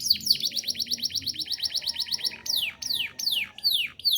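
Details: Canary song used as a master for training other birds: quick repeated falling notes in a rapid string, then louder, spaced downward-swooping whistles roughly every half second.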